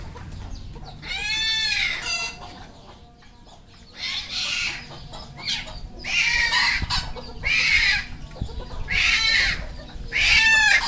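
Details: Red junglefowl on a Cambodian farm: loud, arching harmonic calls rise and fall in roughly five bouts, quieter between, with faint clicks and low background noise.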